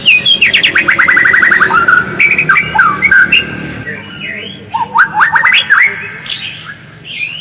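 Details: White-rumped shama natural voice used to provoke singing: a rapid series of rising notes repeated several times a second, then looping whistles and a second fast rising sequence.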